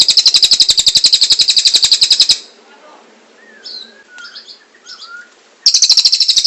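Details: Long kingfisher call used as a master recording to teach other birds: a fast, shrill, rattling trill of rapid notes, a pause holding faint whistles and chirps, then the trill starting again.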